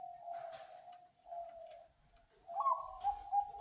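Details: Bangkok zebra dove with a big voice, a caged lure bird for other doves; soft drawn-out coos, then a louder sequence of short, rhythmic cooing notes.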